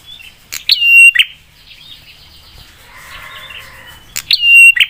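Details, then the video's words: Prinia giving the 'spicy' provoking song that gets other prinias replying: two loud click-whistle-click phrases bracketing a softer buzzy, chattering stretch of high notes. "Prenjak suara PEDAS bikin prenjak lain cepat nyaut dan emosi"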